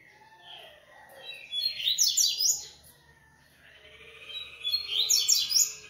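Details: Double-collared seedeater (coleiro) from a breeding aviary delivers two rapid bursts of high, scratchy, quickly warbled notes, each lasting roughly a second with a quiet pause between. A faint low hum sits underneath.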